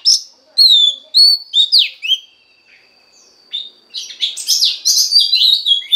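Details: Female Oriental magpie-robin voice meant to stimulate the male: clear whistles and a sharp down-sweep, a quiet gap, then a loud tangle of varied overlapping chirps and warbles.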